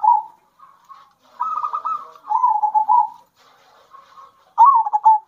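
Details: Zebra dove songs from local wild and bred birds, alternating to stir other doves: repeated rolling coo phrases, a rapid purring trill falling into a lower sustained note, with softer distant coos between loud bursts.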